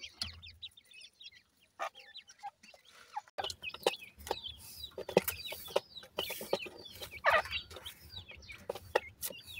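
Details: Grey francolin chicks, kept with other fowl, squabbling with their mother after feeding: many short, high, downward-sliding peeps and chirps in quick bursts, with rustling and clattering. Quiet for the first three seconds, then dense chirping.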